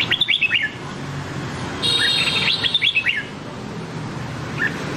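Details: Nam Đông red-whiskered bulbul song meant for training white-cheeked bulbuls: rapid slurred falling whistles at the start, a loud second phrase of descending notes, and one faint chirp near the end.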